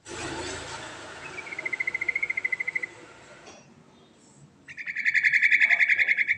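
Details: Rolling 'ngerol' song of a yellow-vented bulbul (trucuk) kept for luring: a soft, thin rapid trill over a noisy hiss, a short gap, then a loud, fast, buzzy rattling trill.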